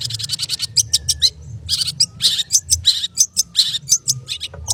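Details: Long-tailed shrike delivering rapid 'konslet' song, a quick train of sharp high chips that turns into scratchy, rasping phrases with squeaky accents, steady and insistent.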